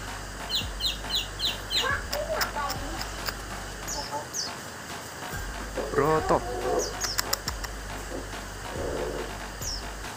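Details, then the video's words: Orange-headed thrush (anis merah) singing a jumble of quick high chirps and lower warbled phrases, with background voices and a rooster-like call mixed in. "Anis merah "Broto" teler"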